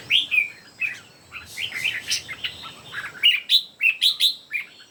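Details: Red-whiskered bulbuls, three birds in a singing contest, trading bright, liquid whistled phrases that rise and fall, delivered in rapid bursts of three to five notes with brief gaps.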